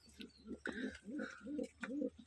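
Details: Pigeons kept on a farm in Rajshahi, Bangladesh, gerebaj type, giving low, soft coos repeated in a steady series of short throaty pulses, with a faint higher tone above some notes.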